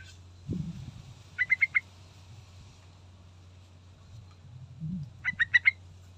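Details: Yellow-vented bulbul, a lure recording played to provoke a response, giving two short bursts of four quick bright chirped notes each, separated by a few seconds of near silence and low thumps.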